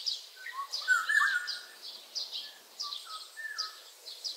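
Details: Oriole giving one of its various sounds: a run of mellow whistled notes rising and falling in the first two seconds, then softer repeated whistles, with a constant background of rapid high chirps from other birds.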